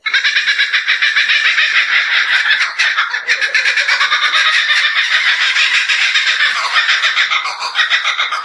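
Kookaburras cackle loudly and without a break, a dense run of rapid, harsh chuckling notes that overlap for the whole stretch, like several birds calling at once.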